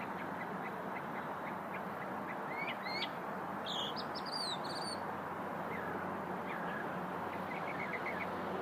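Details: Small songbird of unknown kind, met during a lunch break, gives a short burst of high, sharp chirps and quick twittered notes midway through, over a steady broadband hiss with fainter notes before and after.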